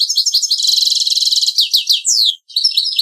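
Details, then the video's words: Servati song from a goldfinch × canary hybrid: a continuous high, rapid stream of buzzy trills and sliding chirps, broken by one short gap before more ringing whistled notes. "Chant Mulet Servati Prince royal"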